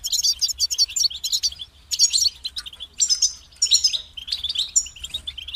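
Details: European goldfinch song: rapid, liquid twittering of high, tinkling notes in dense bursts, with short pauses near 1.7 and 3 seconds before the chatter resumes.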